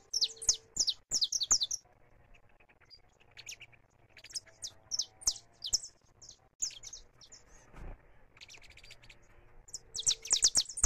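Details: Saffron finch singing in freedom, live recording: dense volleys of high, sharp chirps open and close the stretch, with sparser, softer notes between, a low thump near the middle and faint background hum.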